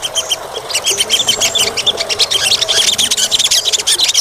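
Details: Olive-backed sunbird (Cinnyris jugularis, sogok ontong), used as a lure for sunbirds that have stopped singing: a dense, unbroken stream of very high, thin chips and sharp twitters, several notes every second with no pauses.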